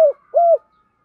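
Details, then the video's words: Decoy spotted dove calling to lure wild doves: a brief falling coo, then one smooth level coo and a fading faint tail. "Tiếng chim cu mồi gáy gọi bổi nhanh về"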